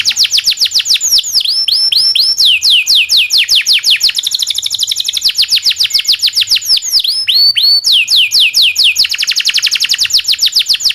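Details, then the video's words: Local canary delivering a long song with rolls, used to train white-rumped shamas, oriental magpie-robins and greater green leafbirds: unbroken, rapidly repeated high whistled sweeps, some slower looping notes, then fast rolling trills. "kenari lokal panjang dan roll masteran burung murai"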